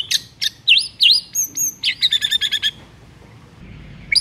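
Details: White-rumped shama song in the morning, used as a lure to make a quiet shama sing. Loud, varied whistled phrases with V-shaped swoops and slurs, then a fast run of about eight clipped repeated notes, over a low background hum.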